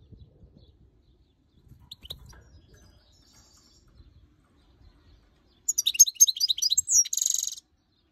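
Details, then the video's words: ['After near silence, an angry female European goldfinch facing the camera lets out a quick chattering twitter of high tinkling notes, closing on a harsh buzzy note.'] "Goldfinch Call Female and Angry with Camera!"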